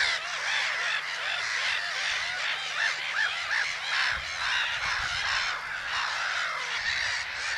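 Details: Black-headed gulls at Haaksbergerveen, Twente, the Netherlands: a dense chorus of harsh, overlapping, grating calls from many birds, with no pauses and a steady background din throughout.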